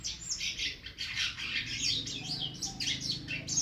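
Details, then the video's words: Silky starling song used as a tutor recording for teaching other birds: dense, continuous high chattering of scratchy chirps and squeaks with no pauses, over a low background rumble. "jalak sutra gacor"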